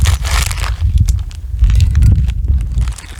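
Low rumbling and crunching, crackling handling noises outdoors, with scattered clicks and no animal voices heard.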